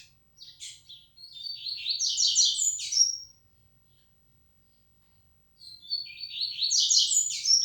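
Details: Yellow-bellied seedeater, 'flecha negra' type tournament bird: two loud bursts of rapid buzzy, rattling twitter with sweet whistled ends, separated by about two seconds of silence, a faint hum underneath.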